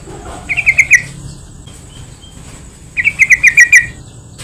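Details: Yellow-vented bulbul calling, played to lure and stir other bulbuls: two short phrases of five or six quick, bright bubbling notes separated by a quiet gap.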